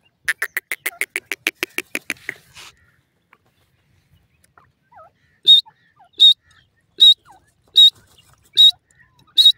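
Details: Caged female partridge: a fast rattling run of about fifteen sharp notes that fades out, then a pause, then a steady series of loud harsh single notes roughly every three quarters of a second, with faint soft chirps.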